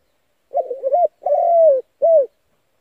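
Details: One clean spotted dove phrase, used as a lure to excite decoy birds for trapping: a quavering double coo, a long smoothly falling note, then a short rounded coo.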